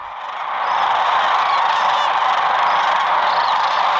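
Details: A huge flock of migrating Sandhill Cranes arriving at sunset to roost on the Platte River, Nebraska, calling all at once, their rolling, trumpeting voices merging into a dense, unbroken roar.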